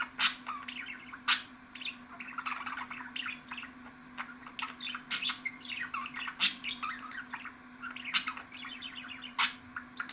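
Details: Budgerigar warbling in rapid runs of squeaky chirps, with sharp loud clicks every second or two and a steady low hum beneath.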